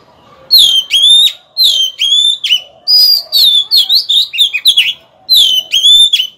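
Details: Oriental magpie-robin decoy bird in full, loud song meant to provoke rivals into fighting: strong whistled notes dropping in pitch, repeated about once a second, mixed with rapid tumbling warbles.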